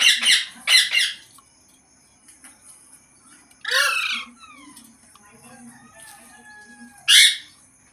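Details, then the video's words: Green parrot calling; two quick rough squawks open the clip, a louder grating call follows near the middle, and a sharp squawk ends it, over a steady low hum and a faint high whine. "Green Parrot Talking Natural Sounds | Tote Ki Awaaz | Mitthu Ki Awaaz"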